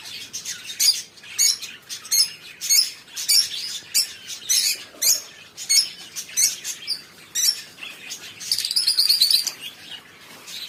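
Lovebirds chattering in a busy stream of sharp, high squeaky chirps and twitters, roughly every half second, with a faster burst of notes near the end.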